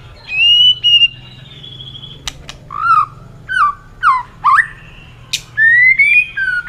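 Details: White-rumped shama singing competitively: long clear whistles alternating with short falling slurred notes and sharp clicks, varied phrases spaced through the song.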